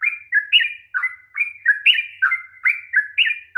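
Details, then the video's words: Rolling 'ropel panjang' style song of a sooty-headed bulbul, played to coax a silent bird to sing: liquid, warbled notes rising and falling, repeated roughly every third of a second. "kicauan TRUCUK ROPEL PANJANG// perangsang bunyi trucukan malas bunyi"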